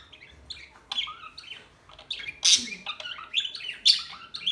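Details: Several small birds chattering at once, mixing high squeaky chirps, short whistled slurs and a few lower notes in a busy, uneven stream.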